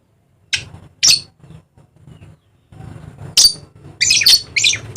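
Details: Dusky lory of eastern Indonesia's Papua giving two rasping squawks, a pause with faint rustles, then a rapid burst of four harsh screeches.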